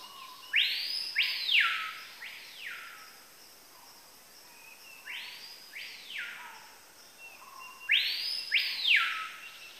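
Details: ['Capitão-do-mato singing a repeated phrase of loud, arching whistled sweeps that rise and fall steeply, given three times about every three and a half seconds, with quiet hissy background between phrases.']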